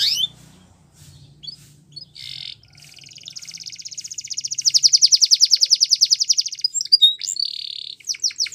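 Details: Belgian canary song meant for training: quiet chirps and a low hum at first, then a sustained buzzy rolling trill swelling in volume, followed by a short whistle and a series of descending chips.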